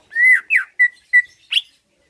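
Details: Greater green leafbird in a cage, singing to provoke rivals: five separate clear whistled notes, a long slightly rising whistle, a falling slur, two short level whistles and a higher buzzy note, with pauses between.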